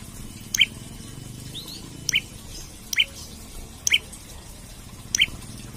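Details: Olive-backed tailorbird singing vigorously while seeking a rival, used as a lure, trapping and tutor recording: five sharp, upswept high chips spaced roughly a second apart, over a low steady hum.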